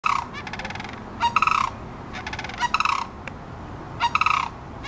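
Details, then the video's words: A crane at Potter's Marsh, Alaska, calling to what seems to be its mate: loud, rolling, rattling bugles in bursts of about half a second, repeated every one to one and a half seconds over steady background hiss. "crane talking"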